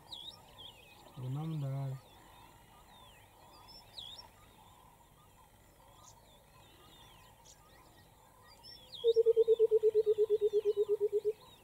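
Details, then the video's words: White-browed coucal in Queen Elizabeth National Park, Uganda, in August 2022. It gives a loud, rapid run of about twenty low hooting notes that fall slightly in pitch. A short low rumble comes earlier, with thin whistles from other birds behind. "White Browed Coucal making its very special call"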